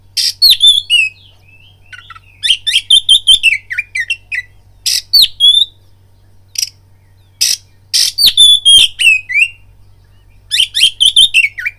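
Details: Oriental magpie-robin song used as a lure to make another bird eager to fight: bursts of rich whistles, harsh buzzy notes and rapid chirps in loud phrases separated by short pauses, with a steady low hum beneath.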